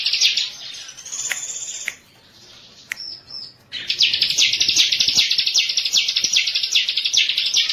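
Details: Master lure recording of a bar-winged prinia: a short high trill, a quiet gap with faint whistles, then a long rapid run of high pulsed notes.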